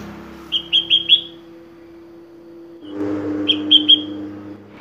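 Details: A sooty-headed bulbul delivers its varied song: four quick, bright whistled notes, a two-second pause, then three more ringing whistles over a low steady hum.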